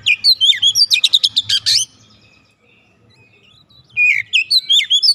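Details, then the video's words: Untrained oriental magpie-robin that promptly joins in singing vigorously: bright, varied whistled and chattering phrases, fast high notes sliding up and down, a burst lasting about two seconds, a pause, then another lively run, with a low hum beneath. "KACER bahan langsung ikutan gacor"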